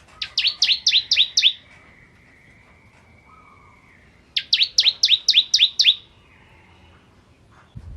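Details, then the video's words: Bar-winged prinia singing "ciblek kristal" style for oriental magpie-robin training. Two fast bursts each hold about seven crisp, sharply falling whistles at roughly four per second. A thin, steady tone lingers between the bursts, and faint insect-like hiss sits in the background. "Masteran Ciblek Kristal Gacor"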